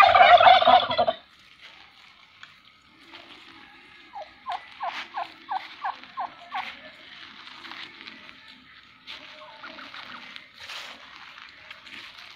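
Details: Turkey kept by people gives a loud rapid gobble in reply to a takbeer shout, followed by a run of quick, evenly spaced short clucks.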